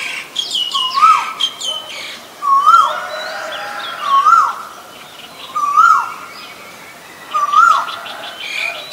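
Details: Five upward-sweeping whistled notes from a male Asian koel, spaced about every one and a half seconds, over busy high chirping and twittering from other birds.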